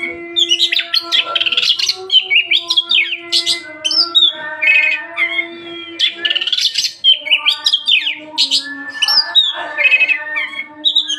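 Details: Oriental magpie-robin in continuous, energetic song, packed with quick rising and falling whistles, harsh squawky notes and short trills in fast succession, a constant low droning hum underneath throughout.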